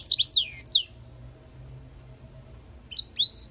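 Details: A European goldfinch mule sings a brisk twittering phrase of slurred high notes, falls silent, then resumes with short rising whistles and a sustained high note.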